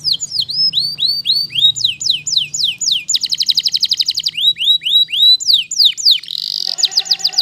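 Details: Waterslager canary singing: a run of clear downward-sweeping whistles, then a fast buzzy rolling trill, more looping slurred notes and a dense trill near the end. The song is continuous and high-pitched, with a faint low hum underneath.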